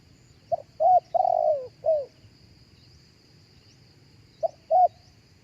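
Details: Spotted dove cooing live, a recording used through a speaker to lure other doves: two short clipped coos, then a long drawn coo falling slightly at the end, followed after a pause by two more short coos. Faint high bird chirps behind.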